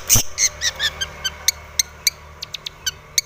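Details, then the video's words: Aggressive long-tailed shrike song aimed at a rival, opening with a loud click then harsh buzzy notes slowing into sharp isolated ticks spaced a quarter to half second apart. "cendet gacor MENCARI LAWAN"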